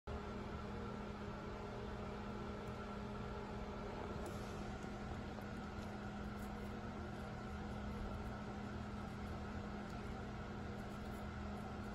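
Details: A steady mechanical hum like a fan or engine fills the clip, with no animal voice. Low droning tones hold constant throughout, with a faint high whine above.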